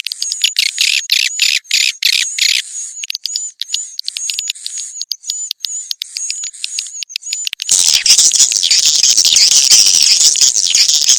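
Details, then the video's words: Swiftlet calls, a compact call compilation for swiftlet farmers: high, sharp chirps repeated in a fast, even series of about three per second, then a dense, loud, continuous chorus of overlapping twitters. "sp kompak burung walet"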